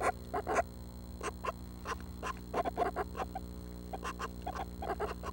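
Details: Northern Flicker nestlings, seven young due to fledge within the week, calling at 6am on June 12: clusters of harsh, scratchy bursts in uneven groups, with a constant low hum underneath.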